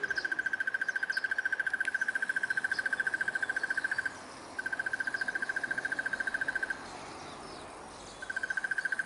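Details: A South African crested barbet gives a long, even, mid-pitched trill of rapid pulses, like a muffled alarm clock, in bursts of two to four seconds with short pauses.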